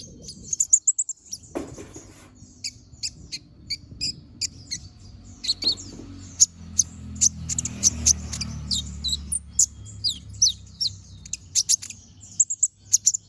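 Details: Brown-throated sunbird in full chattering song with sharp bursts, recorded to train other birds: steady stream of very high, thin ticks and short chirps over low rumbling noise and an occasional knock.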